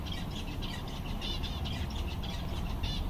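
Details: Zebra finches, seven birds contented on a summer day, keep up a soft chorus of short nasal beeps repeated irregularly throughout, with a low rumbling background.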